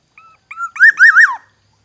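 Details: Aceh black-naped oriole of the forest giving a clear, mellow whistled phrase. A brief soft lead note is followed by a rising glide and two rich, wavering loops that fall away. The background is silent.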